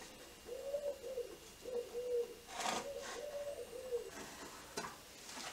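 A common wood pigeon gives soft, low hooting coos in a steady phrase of four or five notes, with a few sharp knocks and clatters of workshop noise.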